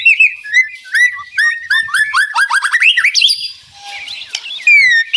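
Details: Rattling song of a white-rumped shama, birds said to answer each other: clear whistles give way to a fast series of rising notes, then higher ringing whistles and a short falling slur.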